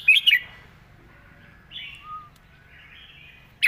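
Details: Red-whiskered bulbul in the 'master song' style: a brief loud cluster of bright chirped notes at the very start, then soft, quiet warbled fragments, with another note cut off at the end.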